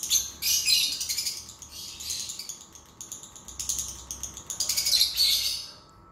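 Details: Lovebird chattering, played to encourage a lazy lovebird to sing: several high, buzzy, rattling phrases of rapid pulses with brief gaps between them.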